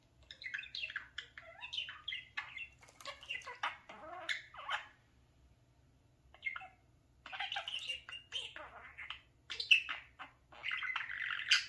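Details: Mirror-loving talking parakeet in a long chattering run: dense squawky syllables and buzzy warbles, a brief pause, then more chatter ending in a sustained buzzy note.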